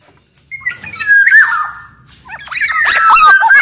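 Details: Kepodang, the black-naped oriole, singing as a lure for other orioles: a long descending whistle with buzzy overtones, a lull, then a rapid tangle of slurred whistles and squeaky notes.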